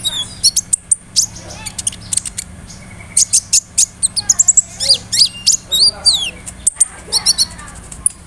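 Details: Lure recording of a sunbird, locally kolibri ninja, singing a rolling song filled with mimicry of crickets, cililin, sparrows and cerr notes; dense bursts of very high chirps, short sweeping whistles and trills over a faint low hum.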